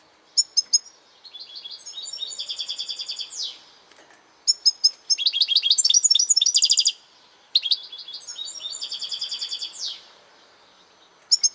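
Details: European goldfinch singing three high, bright phrases, each opening with sharp twittering notes and running into fast buzzy trills and tinkling chatters, separated by short pauses, with a quiet background.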